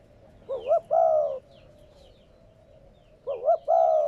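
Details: Spotted dove coo, played to urge newly caught captive doves into cooing. Two phrases about three seconds apart, each a quick warbled double note followed by a drawn-out, slightly falling coo. Soft chirping sounds behind.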